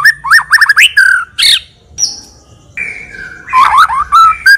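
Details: A White-rumped shama delivers varied song for luring other birds into singing: quick rising chirps, a harsh buzzy burst, a high thin whistle after a brief gap, then warbled twisting notes over faint low background hum.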